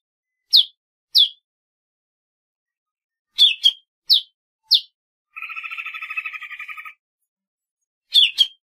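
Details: Golden-fronted leafbird song of crisp, down-slurred chips given singly and in pairs, broken by a buzzy, rattling trill lasting over a second, then more sharp chips; no other sounds.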